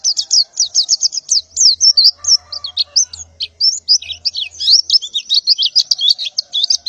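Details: Breeding female white-eye calling to males at morning time, a dense, unbroken stream of high excited twitters and chirps running for about seven seconds, with a soft low hum in the middle.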